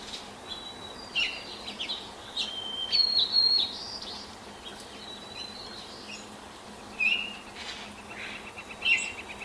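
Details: Baltimore oriole singing at sunrise from a neighbour's apple tree, 5:40 a.m. on 10 May 2024, hopping and pecking between phrases; scattered short whistled notes amid a chorus of thin high calls from other birds.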